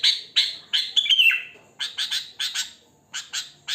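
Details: Sooty-headed bulbul in the wild, natural voice with no learned song fill: three slurred bubbly notes, then a run of short sharp chirps in clusters of two or three, all bright and high.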